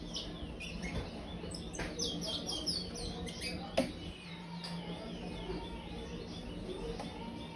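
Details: Young brown-plumaged chestnut-bellied seed finch, five months old, practising the praia song: a quick run of clear descending whistled notes, then scattered softer notes over low hum and a few clicks.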